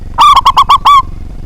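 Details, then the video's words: A local zebra dove singing loudly with a big voice, used to spur rival birds into song. Six crisp, quick coos in under a second, the final note drawn out and gently dropping, over a faint low hum. "Perkutut Lokal Gacor Suara Besar, Jago Memancing Lawan"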